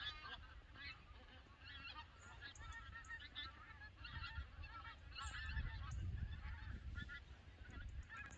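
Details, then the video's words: Noisy flock of migrating Canada geese at Lambwath Lakes, Aldborough, many birds honking at once in a continuous, overlapping clamour over a strong low-pitched rumble, possibly wind. "migrating Canadian geese"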